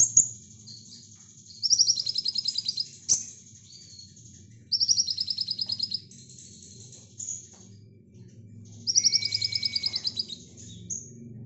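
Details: Brown-throated sunbird song used to tutor lovebirds: very high, rapid buzzy trills about two seconds long, repeated every three seconds or so, with thin sharp notes between and one lower whistled phrase.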